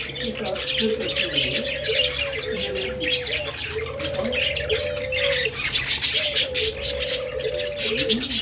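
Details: Australian parakeets chirping together in a busy, continuous chatter of squeaky, scratchy notes, with lower wavering tones repeating every second or two beneath them.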